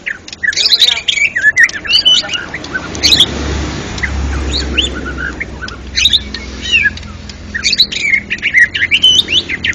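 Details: White-rumped shama contest champion singing ngeplong gacor: bursts of loud whistles and chatters in clusters over a steady low rumbling background.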